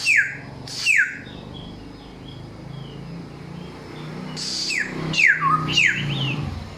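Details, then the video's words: Samyong singing, described as loud and clear and from wild forest stock: a few sharp whistled notes sliding steeply downward, with gaps between them and a low rumble of traffic beneath. "Inilah real samyong 1001 suara... Suara kencang, jernih"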